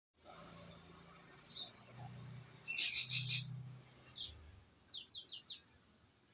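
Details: Australasian bushlark, subspecies parva, singing a varied run of high whistled and chirping notes: short slurred phrases, a loud rattling burst near the middle, then a quick descending series of sharp notes, over a low steady hum.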